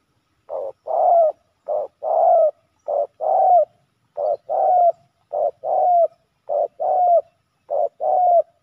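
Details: A male spotted dove, fighting hard with a rival at a ground decoy trap, repeats a soft, low two-part coo, a short note followed by a longer rolling one, about once every second.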